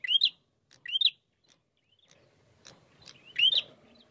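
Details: Prinia singing, used as a lure recording in the 'narung' style: two quick, rising, whistled notes with clicking ticks, a pause with soft rustling, then one louder upslurred note near the end.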